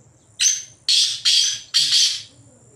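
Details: Black francolin, free-living in jungle, gives a loud rasping call of five harsh, grating notes packed into under two seconds, the later ones closely paired; faint low rumble underneath.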